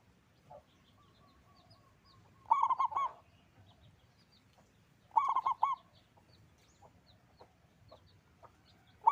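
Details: Singing local zebra dove with a big voice, two stuttered, rolling coo phrases about three seconds apart, with faint scattered chirps from other birds in the background.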